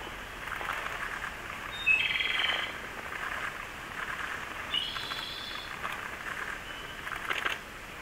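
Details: Siberian blue robin on a mountain outing gives brief, bright, high phrases a few seconds apart, over distant chirps and forest hiss; the song heard is noted as actually a Japanese robin's.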